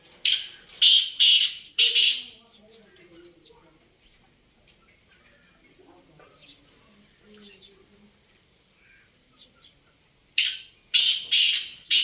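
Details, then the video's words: Black francolin (kala teetar) repeating its call twice: each a run of three or four loud rasping, grating notes spaced about half a second apart, separated by several seconds of quiet with faint bird chirps. "کالا تیتر کی آواز"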